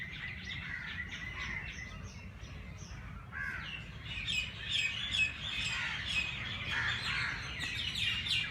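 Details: Wild birds chirping early in the morning at the Race Course, Jilani Park, Lahore: overlapping high chirps and short notes from several birds, growing busier after the first few seconds, over a low steady background rumble.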